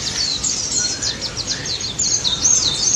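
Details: Pleci daput white-eye singing as a lure for silent white-eyes: a steady chain of high, fast twittering chirps over a background hiss.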